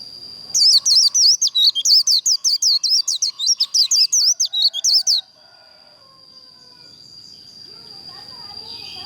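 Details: Long líu fighting song of a white-eye, used to train and provoke birds for singing contests: about two dozen rapid, high looping whistles over nearly five seconds, then a faint steady whine.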